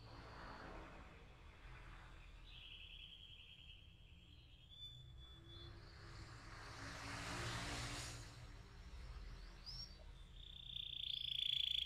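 Canary giving long, high, rolling trills and sustained whistled notes, with a brief rushing swoosh midway and a steady low rumble of traffic underneath.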